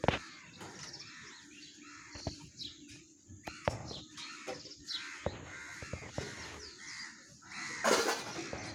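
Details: Harsh repeated squawks of Alexandrine parakeets, known as Indian or Alexander parrots, fairly faint and spaced through the recording, with sharp clicks and a loud rustling burst near the end.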